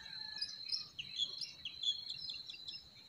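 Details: Forest birds singing in spring: a scatter of short high chirps and thin whistled notes over a steady, shrill, unbroken buzz that runs through the whole stretch.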